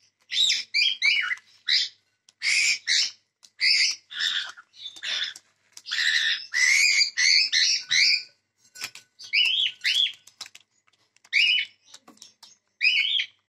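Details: Cockatiels chattering in dense bursts of harsh squawks and bright rising-falling chirps, often overlapping, with short gaps between the clusters and a few thin clicks.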